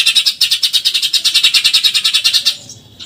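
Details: Eurasian tree sparrow in rapid 'tembakan nyerecet' shooting chatter, a steady run of harsh, high, evenly spaced notes of roughly eight per second for two and a half seconds before breaking off.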